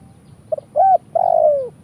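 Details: Spotted dove (tekukur) 'kuk 1' lure call for trapping doves: a quick double note, then a mid-length mellow coo, then a long drawn-out coo that slowly slides down in pitch. A low background hum is present.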